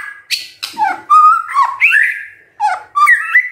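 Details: Morning shama song used to draw out silent birds: mellow whistled notes and slurs mixed with short harsh chips, delivered in quick separate bursts.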